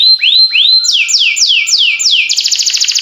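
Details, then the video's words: Singing canary opening with two long rising whistles, then five clear downward-sweeping notes, finishing with a quick buzzy trill. "This Sweet Melody Will Excite Your Singing Canary!"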